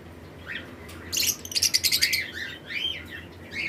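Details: Lovebirds of several mutations in a flight colony, breeding season: a quiet start, then a loud burst of quick, buzzy chirps repeated several times a second, followed by arching squeaky calls.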